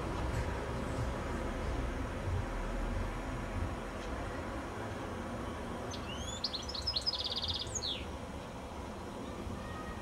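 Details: Evening ballad of a goldfinch on a telephone wire high up before sunset; after several seconds of low background rumble, a brief burst of twittering notes and a fast buzzy trill closes with a descending slur.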